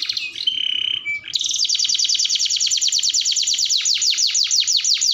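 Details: Canary singing long and vigorously as a lure and tutor song: a few thin whistled notes, then a fast, steady trill of bright repeated chips running nearly four seconds.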